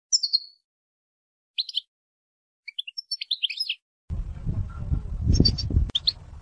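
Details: Female European goldfinch calling to excite a male into singing: thin, high, clipped chirps in short runs, including a quick rattling series, then rustling and handling noise take over near the end.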